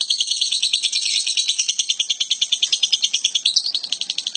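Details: Unusual lovebird vocalisation: a high, buzzy stream of quick repeated pulses. Near the end it shifts into a short, slightly rising squeaky note before the rattle resumes.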